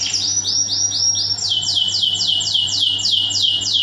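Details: Canary masteran lure for other canaries, full tembakan song: fast repeated slurred whistles, then a steady run of loud downward-sweeping notes about four per second, with a constant low hum in the background.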